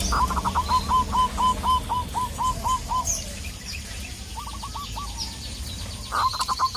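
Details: Local zebra dove calling a rival: a run of brisk, evenly repeated coo notes, a pause, then shorter bursts, with high chirping birds and a low rumble behind.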